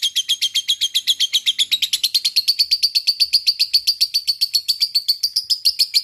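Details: Lovebird in a fighting mood giving a long chatter, called ngekek panjang: a high, rapid, even string of sharp repeated notes, about four per second, running unbroken for six seconds and rising slightly in pitch.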